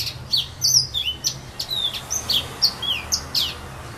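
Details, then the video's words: Serin singing in filao trees at Saint-Philippe on Réunion: a steady stream of bright, high twittering notes and short down-slurred whistles, several each second, over faint low hum. "serin pays 974 st philippe"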